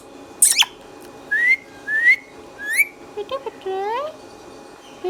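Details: Pet green Indian ringneck giving a series of upward-sweeping whistles and a few short, voice-like syllables with a sharp squeak at the start. A person speaks in Tamil just afterwards.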